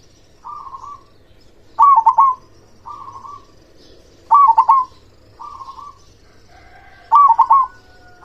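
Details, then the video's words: A strong-voiced local zebra dove sings three loud trilled phrases, each preceded by a fainter buzzy trill, over a faint low hiss. A thin high whistle overlaps the last phrase. "Perkutut lokal gacor suara besar"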